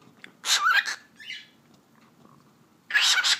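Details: Talking cockatiel kept at home, voicing the Turkish phrase "eşek sıpası": a harsh, breathy spoken phrase with a squeaky rising tone, a softer mutter, a long gap, then another loud raspy burst.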